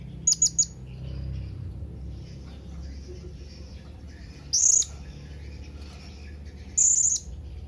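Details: Calling to companions, a blue-crowned hanging parrot gives a quick pair of high chips, then two separate longer shrill whistles a few seconds apart; faint low background noise.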